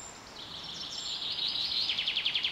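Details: Bird song in spring at Carrizo Plain National Monument, California, USA, in a super bloom: a long high buzzy note that swells, then a fast series of repeated sharp notes to the end, with a faint high chirp early on.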